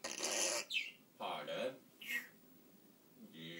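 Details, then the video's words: Pet African grey parrot talking indoors: a few short speech-like phrases with rich harmonics, separated by brief pauses, ending on a higher tone. "African grey parrot Ronnie talking"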